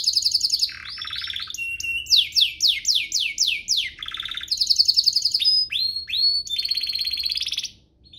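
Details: Song of a domestic canary played to teach young birds and to coax canaries into singing. Quick rattling trills lead into a run of loud descending sweeps, followed by buzzy rolls and short high pure whistles.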